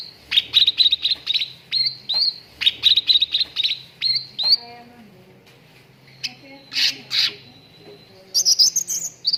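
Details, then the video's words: Cucak ranting song as a training recording for contest birds: bursts of fast chattering, twittering notes in rhythmic runs, a pause, then harsher chirps and a final twittered flourish. "PANCINGAN CUCAK RANTING BAHAN AGAR CEPAT GACOR"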